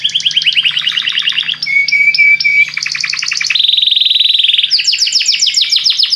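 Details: Belgian canary song intended to make other canaries sing: fast chattering trills, a few level whistled notes, a smooth rolling trill and bright rapid chips, delivered continuously with a faint low hum beneath.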